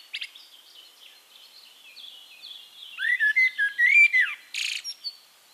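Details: Singing Eurasian blackbird recorded in Castricum, the Netherlands; soft high background twitter from other birds, then a rich warbled phrase of low whistled notes ending in a squeaky high burst.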